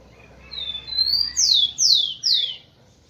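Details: Male rufous-collared sparrow song meant to excite females: two smooth, high whistles climbing slightly, then three bright downslurred notes falling steeply, with a softer lower note beneath, all within about two seconds.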